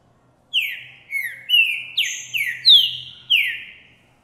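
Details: A male Green-winged Saltator, recorded January 2024, sings a loud, rich phrase of about seven clear, downslurred whistles, delivered quickly at a steady pace; it sings strongly after seeing and hearing a female. Finding: Green-winged saltator.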